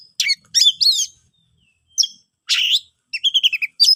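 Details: Oriental magpie-robin (kacer) song used to lure silent birds into singing: bursts of sharp, varied whistles and rapid sweeping chirps, separated by short pauses, ending in a quick series of repeated notes; clean, with no background noise.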